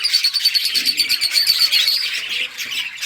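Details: Playing budgerigars produce a continuous warble of quick repeated chirps, one thin high note pulsing steadily through the first two seconds, then softening.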